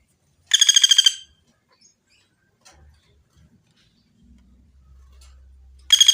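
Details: Woodpecker (pelatuk bawang) recorded cleanly as a master for training birds: a rapid, harsh rattle of evenly spaced notes near the start, several seconds of near silence with faint clicks and hum, then the rattle begins again.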